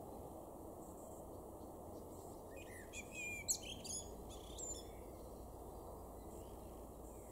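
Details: Male blackbird in a garden in Weener, East Frisia, northwestern Germany, May 2022. After a few quiet seconds comes one short burst of song, mostly high, squeaky twittering, set against constant low background noise.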